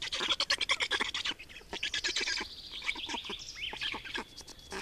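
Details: Estonian black storks at the nest while changing over and feeding, 28 May 2019, 8:13; a run of hoarse choppy notes gives way to softer wheezing sounds, with a thin bird whistle in the background.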